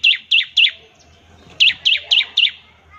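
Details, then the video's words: Slower, well-spaced high chips from a bar-winged prinia, ngebren trill used to prompt other prinias: three notes, a pause, then four more, each bending down in pitch. "ciblek semi gacor, NEMBAK NGEBREN untuk pancingan ciblek semi agar cepat bunyi"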